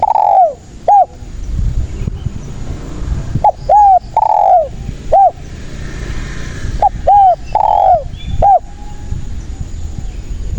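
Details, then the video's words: Spotted dove calling as a trapping lure: loud cooing phrases, each a short note followed by a long downward-bending coo, repeated in groups with brief pauses, over low background rumble. "SUARA BURUNG TEKUKUR GACOR INI PALING AMPUH UNTUK PANCINGAN DAN PIKAT DERKUKU MALAS BUNYI"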